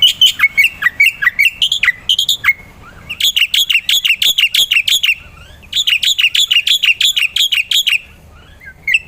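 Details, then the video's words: Lively black-winged myna song recorded for tutoring other songbirds: long bursts of rapid, harsh, buzzy chattering notes delivered in fast repeated pulses, with a short pause between two bursts. "pancingan dan burung masteran jalak putih gacor"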